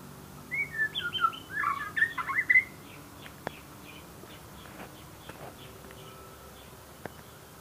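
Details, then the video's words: White-rumped shama singing a short phrase of rich, varied whistles and slurred notes, then falling mostly quiet with faint notes and a few clicks. "Murai batu macam batu"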